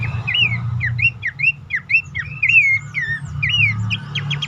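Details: Horsfield's babbler calling as a lure to get reluctant caged birds singing: a quick string of whistled notes, rising and falling, with a few longer swooping phrases over a low hum.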